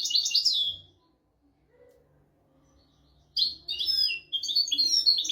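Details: Tutor song of a European goldfinch, 'royal' style, for teaching goldfinches and canaries: a burst of rapid high twitters, almost two seconds of silence, then twittering resumes in two liquid, warbling phrases.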